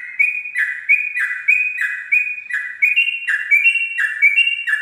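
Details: Sooty-headed bulbul at dawn, loud and close, delivering about eight rollicking whistled 'ropel' phrases in five seconds, each a falling slur followed by a bright upward note, with no other sounds.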